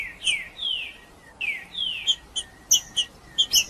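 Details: Macheando song of a green-winged saltator, meant to warm up birds to sing: two long descending whistled slurs, then a string of crisp high chip notes spaced about a third of a second apart.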